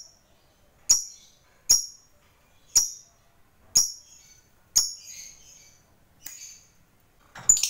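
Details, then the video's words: Lovebird whose voice is played to stimulate other lovebirds into song: a steady series of piercing, high chirps about one per second, the later ones trailing into softer twitter. "BANYAK LOVEBIRD LANGSUNG BUNYI, Setelah DI RANGSANG Dengan Suara Lovebird ini"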